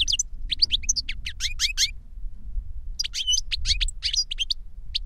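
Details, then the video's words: Reclamo-style song from caged European goldfinches, a master and the novice it taught by CD recording: two rapid bursts of bright, tinkling chirps separated by a one-second pause, with a steady low hum underneath. "Jilguero maestro cantando reclamo y enseñando a otro jilguero novel"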